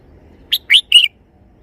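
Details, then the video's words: Three-syllable song from a red-whiskered bulbul: a quick rising whistle, a louder upward swoop, and a longer steady closing note, clear against a quiet background. "นกกรงหัวจุก จ้าวมารวย"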